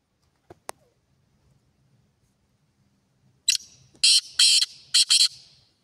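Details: Black francolin giving a loud call: two sharp ticking notes, a pause, then a quick burst of four harsh, grating notes in a stuttering pattern over faint background rumble.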